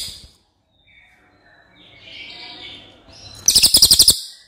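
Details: A White-rumped shama singing in the Cililin style, used as tutor audio, fires off a quick burst of about nine sharp, high notes in well under a second after a near-silent stretch with faint background hiss.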